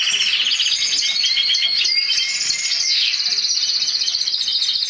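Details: A black-headed siskin x canary hybrid delivering continuous loud, high warbling song of rapid trills and twitters with no breaks, rich and canary-like in texture.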